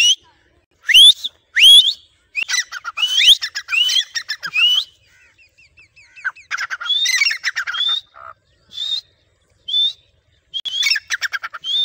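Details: Tame Grey francolin, trained to call when its owner whistles. Over about twelve seconds it gives irregular bouts of rising whistles and harsh pulsed chatter, with short quiet gaps in between.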